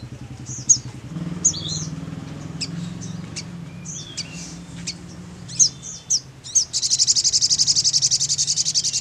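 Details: A sogon call said to draw replies from other birds: high, sharp chirps in uneven bursts ending in a fast, buzzy, rattling trill, over a faint low hum.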